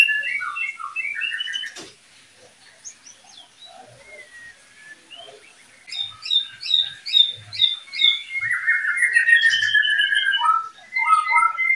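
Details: Oriental magpie-robin pair, the second pair kept for breeding, delivering a rich, varied run of chirps and whistles in quick rhythmic bursts after a quieter lull, with faint soft knocks beneath.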